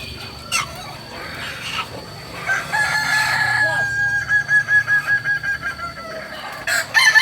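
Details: At a crowing practice in Amko, Solok city, a Kokok Balenggek rooster gives a long held crow, then a rapid run of stuttering, pulsed syllables. Quieter background and a steady high tone run underneath.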